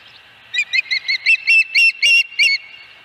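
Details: Osprey at the nest at Dunrovin Ranch, 26 August 2020: a quick series of about ten sharp, whistled chirps, each slightly rising and falling, getting louder and closer together over about two seconds.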